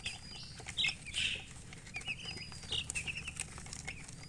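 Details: Baby chicks with two soft bursts of wing flapping early on, followed by a series of thin, high chirps spaced irregularly.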